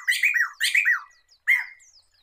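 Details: Black-throated laughingthrush, known locally as poksay mantel or poksay medan, sung as a training recording for songbirds: three loud, rich, slurred whistled phrases dipping and rising, each under half a second, separated by short pauses.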